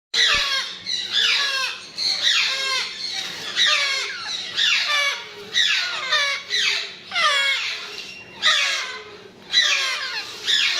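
Grey parrot chicks giving rapid, raspy, squeaky begging calls in overlapping bursts about once a second, rising and falling in pitch, with little else audible.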